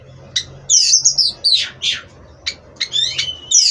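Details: Caged Oriental magpie-robin bred for contests, singing bright high whistles and harsh rasping notes in short bursts over a steady low background hum.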